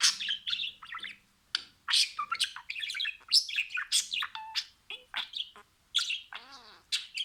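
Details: A happy budgerigar (Melopsittacus undulatus) sings, warbling a busy stream of chirps, clicks and scratchy trills.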